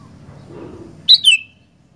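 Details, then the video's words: Sooty-headed bulbul in active song gives two loud, quick, high notes that slur downward, following a faint low rumble and a few seconds of quiet. "Burung Kutilang Gacor"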